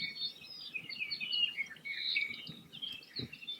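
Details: A dense chorus of Apapane at Hakalau Forest National Wildlife Refuge, Hawaii Island: overlapping high whistles, chirps and buzzy trills, several birds calling at once without pause, over faint low background rumble.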